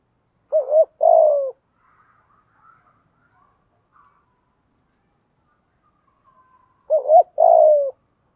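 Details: Cooing spotted dove used to lure wild doves: a short quavering note and a longer, low, falling coo, then about five seconds of near silence with faint chirps, before the same two-part phrase returns.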